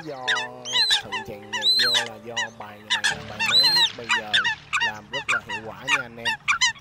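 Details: Eurasian coot calls used as a lure for night net trapping of migratory birds in the August season: a rapid series of nasal, harmonic honks and clipped squawks, many overlapping, bursting in irregular clusters throughout.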